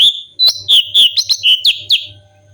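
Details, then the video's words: Cucak cungkok bulbul, recorded as tutor song for songbird training, gives a loud chain of about nine clear whistled notes, some sliding down, others flicking upward, delivered quickly one after another with a faint hum beneath. "CUCAK CUNGKOK GACOR SUARA ASLI VARIASI UNTUK MASTERAN"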